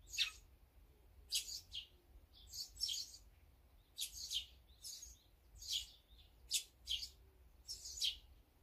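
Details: Birds at a feeding spot, among them azure-winged magpie, sparrow, great tit and brown-eared bulbul: short, sharp, high chirps in small clusters, roughly one burst per second but unevenly spaced, over a faint low rumble.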